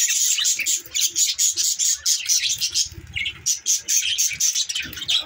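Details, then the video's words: Flock of budgerigars, December 18, 2023: busy, overlapping high warbled chatter with rapid repeated chirps and squeaky notes throughout, steady and loud, with light low background noise. "Bueatiful Sounds budgies"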